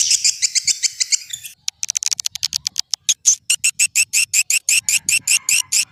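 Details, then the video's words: Old-style swiftlet calling sound for drawing birds in: a short twittering passage, then sharp high clicking pulses that slow into an even series of buzzy chips, roughly four to five each second. "Suara Panggil Walet SUPER JADUL"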